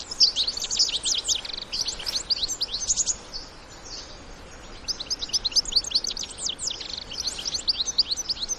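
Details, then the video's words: Goldfinches, European, adults with young in the wild, make busy high twittering in two bursts split by a quieter pause, with chirps tumbling rapidly over a faint outdoor background. "الحسون وصغاره في الطبيعة مع تغريد وبتبتة خلوية"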